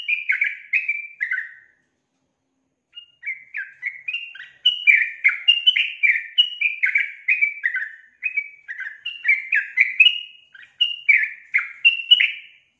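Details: Female sooty-headed bulbul calling the male, used as a lure to get males singing: bursts of bright, bubbly, descending chattering notes, a two-second pause, then a long run of quick slurred phrases.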